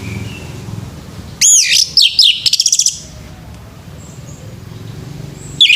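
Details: Orange-headed thrush male in the morning: an energetic phrase of sweeping high whistles ending in a quick run of repeated rising notes, then a faint pause and a final whistle.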